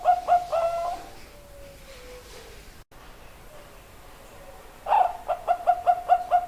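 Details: Very vocal zebra dove cooing: a short series of soft, staccato mid-pitched notes, a trailing lower murmur, a pause, then another run of quick, evenly repeated coos.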